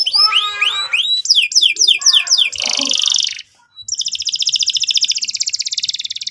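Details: Canary song used as a lure to set young canaries singing: rapid upswept whistles, then a row of steep descending buzzy notes, a dense harsh burst, a short pause, and a long fast pulsing trill to the end.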